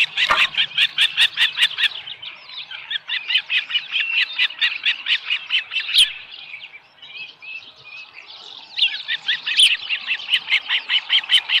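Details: Osprey calling at the nest on a July 2018 morning, a small live fish brought in; rapid, evenly spaced high piping chirps, about two or more per second, pausing briefly mid-clip before resuming just as fast.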